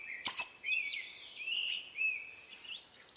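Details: Collared aracari in Costa Rica: two sharp clicks, then thin, squeaky high notes that rise and fall, ending in a quick buzzy run of repeated notes.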